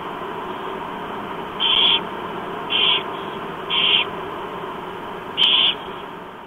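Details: An adult barn owl feeds four chicks at breakfast in Chula Vista, USA, on 28 October 2015 at 07:29; short harsh hissing screeches come four times at irregular one-second intervals against continuous low hum.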